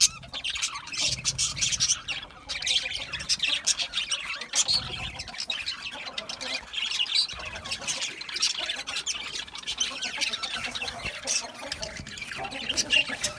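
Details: Budgies chatter continuously for over ten seconds: a high, gravelly mix of quick chirps, squawks and warbles from many birds, with a few louder bursts.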